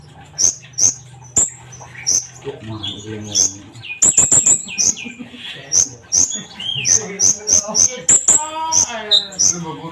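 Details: Sunbird song meant to prompt trainee birds into singing: steady high chips every half second or so, with a human voice talking partway through.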